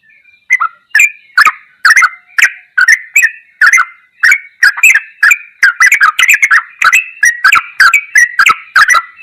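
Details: Ropelan goklikan song of a sooty-headed bulbul as tutor material: a long, accelerating sequence of clicking, bubbly notes that grows denser toward the end.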